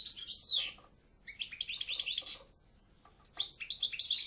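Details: European goldfinch opening with a long falling slurred whistle, then short bursts of chattering, twittering notes separated by brief pauses, over faint low background noise.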